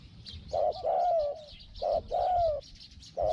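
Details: Spotted dove calling as a decoy to attract a wild bird, with a small 'hong hong' voice. Loud hoarse coos: short note, longer falling coo, repeated twice, then another short note.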